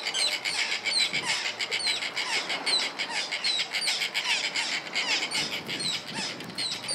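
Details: White-fronted terns (Sterna striata) in a dense chorus of harsh, high, grating squawks, many birds overlapping about twice a second.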